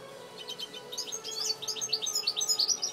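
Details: Captive-bred European goldfinch, one year old, singing: rapid twittering run of bright chirps and short liquid notes high in pitch, growing busier and louder toward the end.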